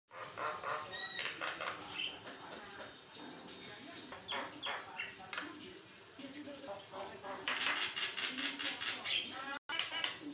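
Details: Javan myna pouring out continuous chattering song, used to train other birds and prompt them to sing; dense harsh broadband bursts repeated about four times a second, with thin whistled notes, growing louder toward the end.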